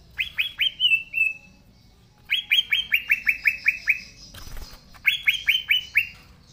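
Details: Actively singing green leafbird, original voice: three bursts of rapid upward-sweeping whistles, the middle burst running to about ten notes, with a short burst of noise between the second and third phrases.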